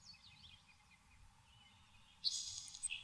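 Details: Nelson's sparrow singing in a saltmarsh in Maine: after quiet marsh ambience with faint distant chirps, a sudden dry hissing buzz sounds near the end, closing with a brief lower clipped note.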